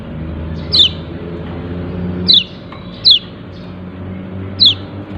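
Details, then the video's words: Yellow-breasted white-eye uttering its "ciak ciak" call: four sharp, high falling chips at irregular intervals over a noticeable low rumbling hum. "Pleci dada kuning memanggil ciak ciak"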